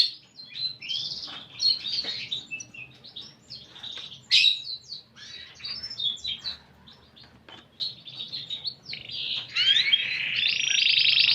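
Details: Canary singing a varied song with a unique style of phrasing: quick bursts of high twittering notes, short trills and sweeping whistles, broken by brief pauses, ending in a sustained rich trill, with a faint low background hum.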